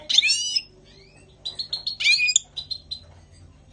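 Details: Goldfinch singing in spring 2020: two harsh, nasal, downslurred bursts separated by clear repeated chip notes, ending in more short high twitters.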